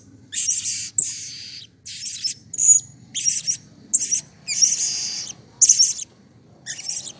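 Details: Blue-crowned hanging parrot calling with excitement as a lure for other birds: steady run of shrill buzzy bursts about every half second, a few holding a thin piercing whistle.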